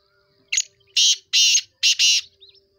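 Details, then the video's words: Black francolin giving its call: a short scratchy lead note, then three loud rasping, buzzy notes, the final two closely paired, and faint soft chirps afterward. "kala tatter ke awaz"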